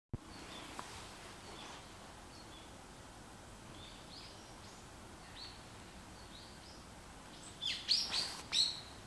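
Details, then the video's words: Varied tit (Sittiparus varius) gives faint, thin high chirps, then a louder cluster of sharp, scratchy notes near the end, over a steady background hiss. "Varied Tit (Sittiparus varius)"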